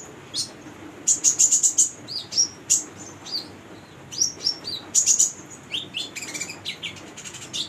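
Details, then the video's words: Lively singing by a female brown-throated sunbird used to train and draw young birds: clusters of fast, piercing high chirps and trills, brief rising and falling squeaks, bursts separated by short pauses, with low background hiss. "Konin betina gacor buat pancingan konin bahan"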